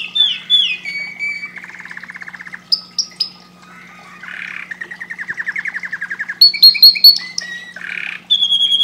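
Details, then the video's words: Canary song with varied sections: whistled notes, rapid rattling trills at mid pitch, short high pure whistles and sharp chips, changing phrase every second or two; a faint constant low hum throughout. "Canary bird singing"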